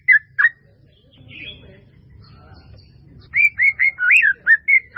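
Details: Melodious white-rumped shama fill-in master song: two isolated whistles, a faint pause, then a lively run of repeated, arched whistled notes.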